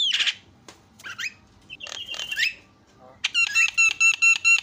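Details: Asian pied starling singing to excite other starlings: scattered harsh squawks and slurred whistles, a pause, then a loud fast rattling series of bright repeated notes.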